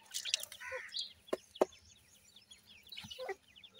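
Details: Grey francolin chicks being raised: a flock of short, thin descending peeps, overlapping and rapid, with a few sharp clicks and knocks between the calls.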